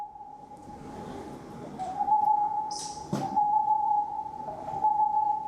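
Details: A boreal owl hooting far off at the bottom of a valley at night, a woodcock also about: a steady, fast run of low, even hoots blurring into one sustained note, nearly lost in the valley's murmur, one sharp knock midway.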